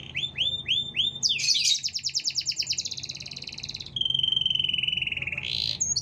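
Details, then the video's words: Lively canary song meant as a master song or to provoke other canaries: a run of repeated upswept whistles, then a loud rapid rolling trill sliding into a lower steady trill and a final rising note. "Suara Kenari Gacor panjang Jeda rapat"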